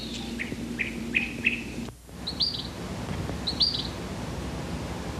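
Cassin's Kingbird gives harsh, burry notes in a quick series, then a pause and two higher, rasping calls, over a low steady hum.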